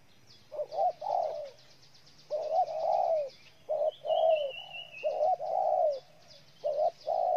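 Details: Spotted dove in Ninh Thuận, Vietnam, giving repeated mellow cooing phrases: short low notes followed by longer drawn-out, slightly falling coos, phrases separated by brief pauses, with faint high chirps from other birds behind.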